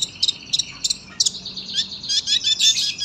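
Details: Sunbird used as a tutor for young cage birds, delivering a tight, high-pitched song of quick rattling chirps that builds into a continuous twittering run toward the end.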